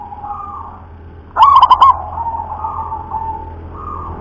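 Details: Zebra dove of a local strain, its song described as thick and deep, gives one rolling cooing phrase: a sharp rising start followed by four or five quick throbbing notes, set against a faint continuous drone.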